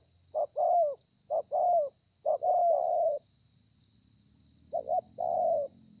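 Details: Spotted dove, a wild-caught bird, recorded 30/11/2020, cooing in the 'thổ pha' style: three phrases of a brief note then a drawn-out, gently falling coo, a pause, then a final paired phrase. Faint background hiss.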